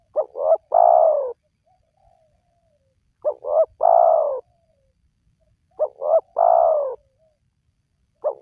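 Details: Spotted dove calls played to entice wild doves to call. Three complete phrases and the start of a fourth, about three seconds apart. Each is two quick notes leading into a long, soft, falling coo, with a quiet background.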